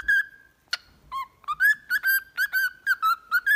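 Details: Whistled song of a pet cockatiel for singing training: a long level whistle, a sharp click, a lower note, then quick wavering whistles repeated in a bouncy rhythm.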